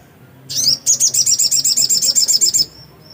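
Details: Black-capped white-eye in vigorous song: a rapid, even trill of about fifteen sharp, high twittering notes over two seconds, ending in a faint thin whistle.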